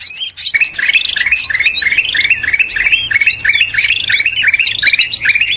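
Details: Greater green leafbird lure call for attracting birds: a fast, unbroken stream of bright whistled chirps and slurred warbling notes, roughly three per second, loud and busy from the first half second to the end.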